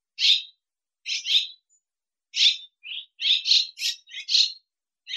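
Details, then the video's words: Swallow recorded in Russia: high, clipped chirps, some doubled, that quicken into a closer run of twittering notes toward the end, with no other sounds. "Ласточка. Голоса птиц Росии"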